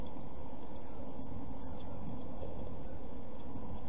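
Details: Nestling European pied flycatchers, 7 days old, in a nest box with a camera, 23 June 2012, giving sharp, high-pitched cheeping notes in irregular clusters above a constant low background hum.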